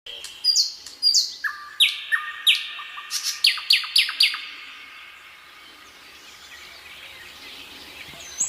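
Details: Common nightingale singing at sunset in an evening forest in Krasnodar Krai, Russia: a run of loud, sharply descending whistled notes and quick clicks for about five seconds, then a quiet lull with faint distant birdsong.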